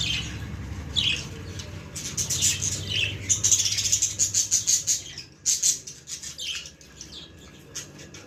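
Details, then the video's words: Baby budgerigars giving bursts of high, thin chirps and squeaky twitters, some in quick runs of short repeated notes, with pauses between bursts and a low background hum. "Cute baby budgie video"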